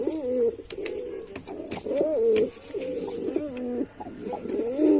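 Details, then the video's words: Male white pigeon performing throaty, warbling coos in quick succession, each with a rising-falling contour, accompanied by faint clicks and high background hiss. "Pigeon Sound Effect (Ultra High Quality) || Male Pigeon Super Performance || White Pigeon"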